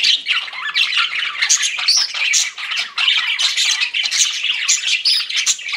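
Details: Pet budgies keep up a lively stream of harsh chirps and squawks, a crowded unbroken chatter.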